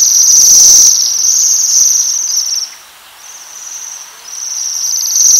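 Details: Shrill metallic trills from feeding Waxwings among rowan berries, a long buzzy trill that breaks off near the middle before resuming more softly.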